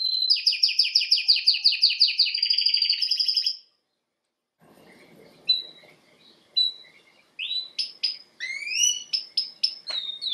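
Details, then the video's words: Canary song: a fast rhythmic trill of repeated sweeping notes, a silence, then scattered sharp high chirps and rising whistled slurs over faint background noise. "Canary bird Singing"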